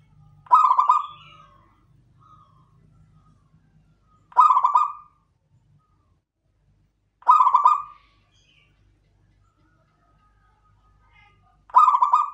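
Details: Local zebra dove, labelled klowongan, giving short pulsed coos with harmonics. Each phrase lasts under a second, and phrases repeat about every three to four seconds. Faint low hum sits in the background.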